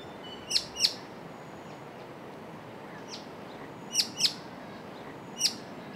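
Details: A White-cheeked honeyeater darting between perches in the bush calls to its mate, which answers off screen nearby: sharp, high chirps, mostly in quick pairs, about six notes over six seconds, against a steady soft hiss.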